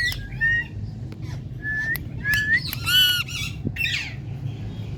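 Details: A female pet rose-ringed parakeet that talks gives harsh squawks and drawn-out, rising mewing notes imitating a cat's meow.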